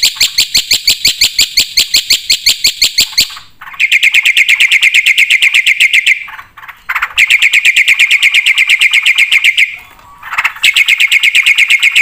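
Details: Black-winged starling in full 'isian' song, delivering long runs of rapid, even chattering notes, broken by two brief pauses with lower rasping sounds before the fast trills resume.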